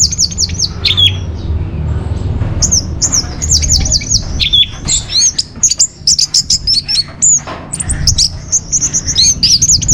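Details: Orange-headed thrush (Geokichla citrina) song used as a lure and tutor recording for captive birds: a fast, unbroken run of high, sweet, varied chirps and slurred whistles with little pause, over a low background hum.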